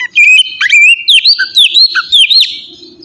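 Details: Short ngeplong phrase from an oriental magpie-robin, meant to make captive birds sing: a string of clear whistled notes, some sweeping up and some down, broken by quick chirps.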